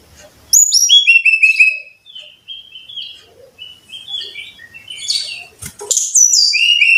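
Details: Lure song of the brown-chested jungle flycatcher, played so caged birds sing more often: a bright falling cascade of whistles, then a string of varied mid-high notes ending in loud sweet phrases.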